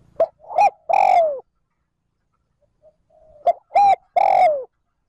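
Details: Decoy spotted dove calling in the 'trơn ròng' style to stimulate wild doves. Two phrases are heard, each a short pip, a curved note and a long, loud coo that falls at its tail.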